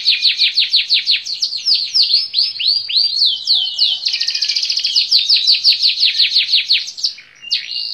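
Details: Singing canary delivering loud rapid trills of falling chirps, shifting into a dense buzzy rattle, then a short pause and a final whistled phrase.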